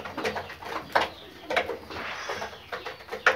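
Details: Pakistani Fayoumi chicken giving soft, irregular clucks, a few sharper notes standing out over about three seconds, in a small, echoing indoor space.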